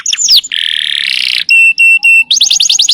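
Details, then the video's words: Canary song in a rapid, varied sequence: a quick descending sweep, a long steady buzzy trill, clear repeated high whistled tones, then a fast series of rising chirps, all loud and close. "dengar kenari ini"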